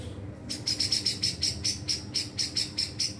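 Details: White-rumped shama, said to be practising continuous singing and unloading learned material: a rapid series of a dozen identical piercing high chirps, evenly spaced about four per second, against faint low background hum.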